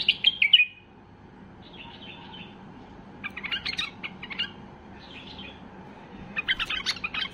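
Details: White-eared bulbul in a highly excited state, singing to set other bulbuls off: a loud burst of chirpy notes between 2 and 5k at the start, then softer warbled phrases and a closing run of sharp notes.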